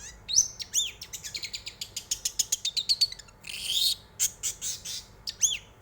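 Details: Long-tailed shrike song played to draw other birds into song: quick, varied phrases of swooping whistles and sharp chips, a fast rattling series of clicks, then buzzy bursts and one rising whistled note.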